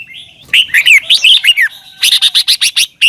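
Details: Red-whiskered bulbul song from Thailand, played for caged birds to learn. It opens with slurred, liquid warbles and moves into a rapid, evenly spaced series of sharp, bright chirping notes.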